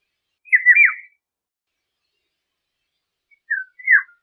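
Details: Eurasian golden oriole singing two short fluty whistled phrases, the first a liquid rising-and-falling warble, the second a briefer yodelling phrase after a pause of about two seconds; no other sounds.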